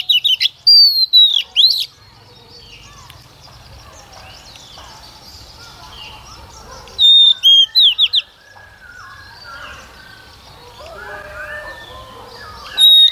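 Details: Female Oriental magpie-robin used as a lure to provoke males into singing: loud slurred whistles opening the phrase, a long pause filled with soft background bird chatter, then a second set of ringing whistled notes and a short note at the end.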